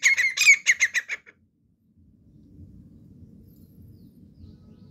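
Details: Partridge sounding a rapid burst of about eight harsh, chattering notes in just over a second, then quiet with faint low background noise.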